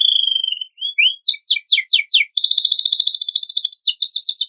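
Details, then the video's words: Canary with luxurious fill song used as a lure for untrained birds: a level whistle and soft upward slides, then four loud descending sweeps followed by a long, fast, rattling high trill. "Kenari Isian Mewah Cocok Pancingan Bunyi Burung Bahanan"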